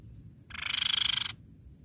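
A Grey-cheeked tit-babbler gives one quick, buzzy rattle of about twenty rapid pulses lasting under a second, over a faint low background hum.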